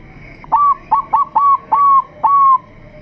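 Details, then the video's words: Bangkok crossing zebra dove singing during a mental test, kept as a lure to get silent doves to sing: five clear cooing notes, each a brief sharp onset sliding into a steady, slightly falling tone, the last two longer, over faint hum. "Perkutut Bangkok Uji Mental"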